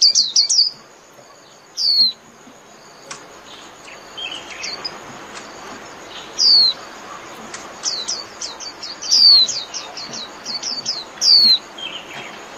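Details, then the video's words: Japanese white-eye calling the flock: scattered single high chirps at intervals of one to two seconds, building into a rapid series of sharp descending notes toward the end, over a quiet background. "Chim Vành Khuyên (Chim Khuyên) hót gọi bầy"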